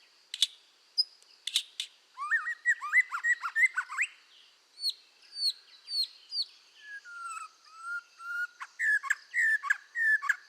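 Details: Red-whiskered bulbul singing a full, vigorous song used for voice training, with clicks at the start, then quick runs of bright rising and falling whistled notes, some buzzy trills, and a steady high hum in the background.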